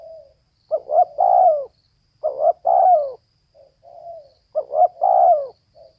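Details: A female spotted dove calling in a rhythm of three phrases: quick stammered notes leading into a loud, drawn-out coo that drops at its end, with soft low coos in the gaps.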